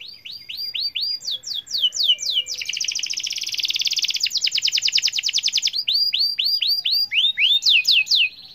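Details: Vigorous 'gacor' canary song played so other canaries join in: a run of repeated swept whistles, a loud fast buzzy trill in the middle, then more looping slurred notes.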